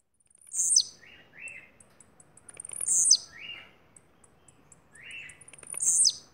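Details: Blue-black grassquit from Bahia singing short, high, buzzy bursts with a sharp downward tail, about every two and a half seconds. Lower rasping notes fall between the bursts.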